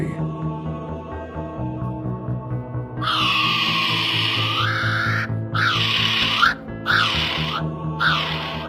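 A kiwi gives a series of four loud, shrill, arching whistles, each about a second long, over a steady backing of music.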